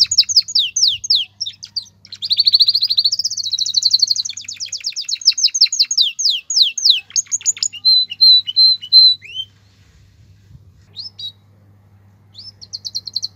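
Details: Male canary in breeding condition, excited for mating, alongside a female's call: rapid high trills of repeated sweeping notes, a dense buzzy rolling phrase, then sparse short whistled notes with pauses; faint low hum beneath.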